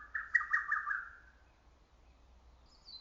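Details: Lesser cuckoo calling in early summer from woods and trees: one loud staccato phrase of about five rapid notes lasting a second, with a brief faint higher note near the end.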